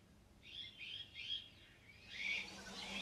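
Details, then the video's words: Iberian magpie giving a short series of rasping, slurred call notes, followed by a louder, rougher burst. "CYANOPICA Cooki/ Rabilargo / Iberian Magpie"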